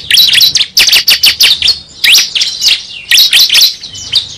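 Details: Prinia call used as a lure sound for trapping: rapid bursts of sharp, high chirps and thin squeaky notes tumbling without pause, with a couple of short rising sweeps.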